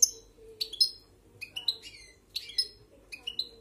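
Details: Goldfinch held in a hand, singing in 'marcando' style: quick sequences of high twittering and tinkling notes in three or four bursts, some notes sliding downward, over a soft low hum.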